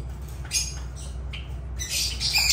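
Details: Harsh, high lovebird squawks, a few spaced cries followed by a louder run of grating calls at the close, with a low hum beneath.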